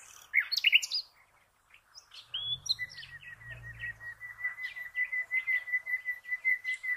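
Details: Common nightingale song opening with loud high chirps, then a long steady series of rapid, evenly repeated mid-pitched notes continuing to the end, with scattered high notes over it. A brief low rumble occurs partway through.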